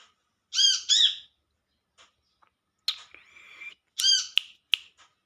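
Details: Wild Olive-backed sunbird calling to its companions: a quick doubled arched call, then a scratchy buzzing note, then another arched call followed by sharp clicks.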